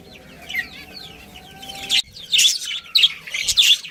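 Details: Budgerigar colony with a breeding pair: soft warbling chatter gives way to loud, rapid bursts of squeaky chirps repeated in quick succession.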